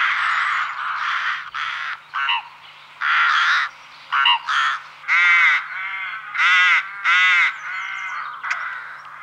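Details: Rook in France giving a string of harsh, nasal caws, some drawn out and grating, others shorter and croaking, in irregular bursts over nine seconds, with a faint steady low hum beneath.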